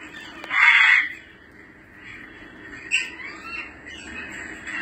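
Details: African grey parrot sound, offered to call back an escaped bird: one loud harsh squawk near the start, then quieter scattered whistles and chatter.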